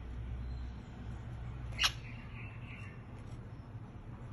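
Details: A white zebra finch, around egg-laying, gives a single short, bright nasal call over a steady low indoor hum.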